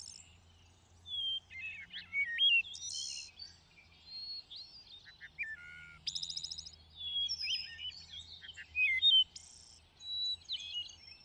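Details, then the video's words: Varied thrush song: a long run of separate phrases mixing clear whistles, sliding notes, rapid twittering and very high buzzy trills, each phrase different and separated by short pauses, with a faint low hum behind. "A Symphony of Thrushes"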